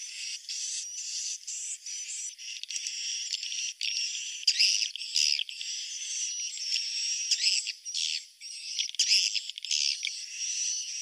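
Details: Swiftlets giving a roosting call: a continuous high buzzy twittering with faint whistles, broken by short bursts of louder chips and brief pauses.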